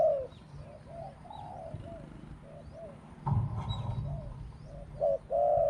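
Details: Spotted dove used in decoy trapping, singing in a small voice. A repeated pattern of short notes and longer falling coos is softer here and sits over low background noise. A brief burst of noise breaks in midway.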